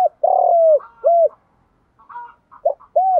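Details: Spotted dove luring wild doves in the morning with a 'giọng đồng' coo: a long, slowly falling coo and a short arched one, then after a pause two more short coos, with faint bird chirps between.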